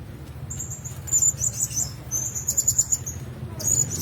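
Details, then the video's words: Blue-crowned hanging parrots kept together in one cage give thin, very high chirps in quick bursts, with short pauses between clusters, over a steady low hum. "Sesangkar Burung Serindit 2"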